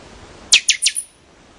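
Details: Buffy-fronted seedeater (Sporophila frontalis) song: four quick, high, buzzy notes in about half a second, each sweeping downward, over a quiet background.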